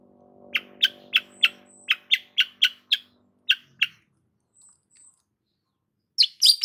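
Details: Long-tailed shrike delivering a series of a dozen short, sharp chip notes at an uneven pace over a low hum, then a brief pause and a burst of high chattering.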